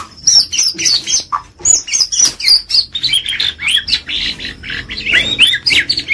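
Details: White-rumped shama, a prized 'gacor' champion-style singer, pouring out a fast, varied high-pitched song of chirps, trills and sweeping whistles, phrases tumbling over one another with barely a pause.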